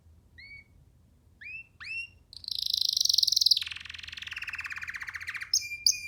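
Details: Young canary sitting on a hand, giving a few thin rising whistles, then a harsh buzzy burst and a lower rolling trill, over a low background hum.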